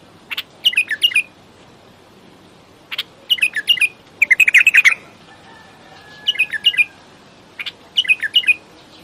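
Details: Bulbul giving short bubbly phrases of rapid chirping notes, about five bursts spaced one to three seconds apart, with a faint steady background hiss.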